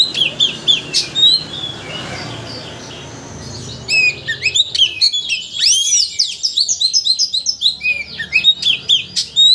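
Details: Oriental magpie-robin song played as a provoking lure so a bird unloads its learned repertoire; a few high whistles, a quieter gap, then a long run of rapid, varied, sharply rising and falling chirps.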